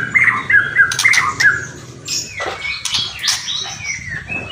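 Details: White-rumped shama song with kretekan and whistling: a quick run of bright, repeated whistled notes gives way to harsh, rattling, crackling bursts and a few scattered higher notes.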